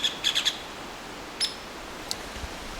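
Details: Hairy woodpecker (Leuconotopicus villosus), believed female, gives an agitated alarm on an evening hike while still pecking, warning nearby chickadees of a possible predator: sharp, high peek notes, a quick burst of four, then two single notes spaced well apart.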